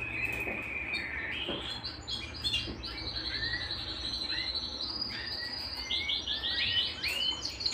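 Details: Canary at home pouring out song, a level whistle stepping up to scattered high notes, then bursts of rapid rolling trills and repeated chirps building toward the end.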